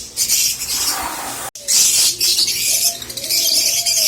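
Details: Busy high-pitched squeaking of a Rosy-faced lovebird group, played to encourage mating; a brief break in sound, then denser chatter over a faint low gliding tone.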